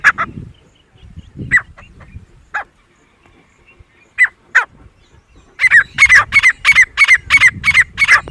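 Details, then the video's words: Scattered single shrill notes from a grey francolin, then, after a pause, an excited rapid series of loud, ringing, clipped calls pours out steadily to the end, with faint low noise beneath. "Grey Francolin voice"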